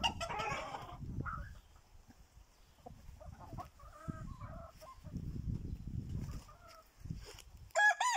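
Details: Brahma chickens of the orange (Portakal Fizan) colour variety, hatched 2020, in Istanbul: scattered clucks and short tonal calls amid rustling and handling noise, with a brief louder squawk at the end.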